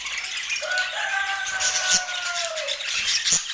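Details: Budgerigars feeding in natural Scandinavian light: a long, thin whistled squeak held for about two seconds and falling at its end, over background chatter, with two sharp clicks.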